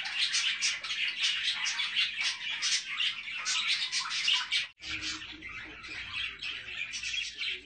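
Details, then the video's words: Budgerigars kept with their chicks chatter in a dense flock, with bright overlapping chirps and warbles running on without pause. "بادجي مع الأفراخ"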